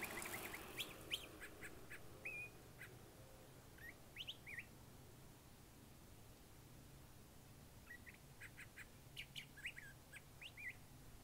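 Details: Curve-billed thrasher giving varied, multifaceted song: short clusters of sharp whistled and chirping notes in bursts around two to four seconds apart, separated by quiet gaps, over faint steady background hiss.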